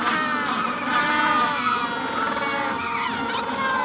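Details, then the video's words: Magellanic penguin colony at Punta Tombo during hatching stage, adults calling up close with the general colony behind; a thick, continuous mass of overlapping harmonic moans and brays, no single voice standing clearly apart. "Magellanic Penguin / Calls CU From Adults At Hatching Stage, General Colony In Distance. Punta Tomb"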